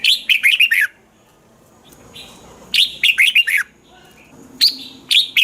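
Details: Thai red-whiskered bulbul song for stimulating caged birds: three crisp phrases of four or five quick, looping whistles, repeated about every two seconds with soft twittering in the gaps.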